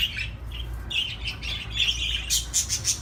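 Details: Chattering budgerigar warble: jumbled squawks and chirps that build toward the end into quick, sharp, high clicking notes, with a low hum underneath.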